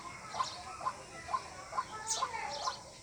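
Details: White-breasted waterhen call used to lure birds for hunting, with short clipped notes repeated a little over twice a second, slightly uneven in spacing, against a low hiss.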